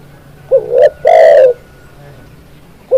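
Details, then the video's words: Zebra dove song: a loud cooing phrase of a short note followed by a longer, rolling trilled coo, then silence before the next phrase begins, clear against a quiet background. "SUARA BURUNG TEKUKUR, MASTERAN CEPAT GACOR"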